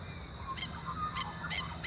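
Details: On a morning at Oxley Creek Common, Brisbane, Australia, Masked Lapwings, possibly with chicks, give four harsh, strident bursts about half a second apart, warning off nearby ibis, over a low background rumble.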